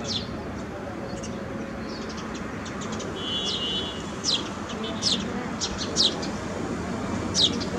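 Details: Sparrows on a terrace garden on a rainy day. Sharp, high, downslurred chirps come singly and scattered, roughly one every second or two, over a steady hiss and a low rumble.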